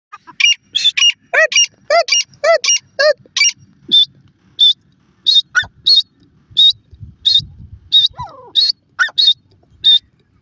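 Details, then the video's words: Grey francolin, a male and female pair, calling: a loud series of sharp, high, ringing notes with strong harmonics, delivered in quick bursts then spaced out at roughly half-second intervals, over a quiet background. "partridge call both male and female"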